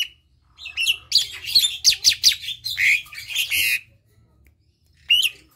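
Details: Asian pied starling song, played to prompt silent or lazy starlings to sing: a loud burst of chattering, squeaky notes and bright whistles lasting about three seconds, then a pause and one final sharp rising whistle.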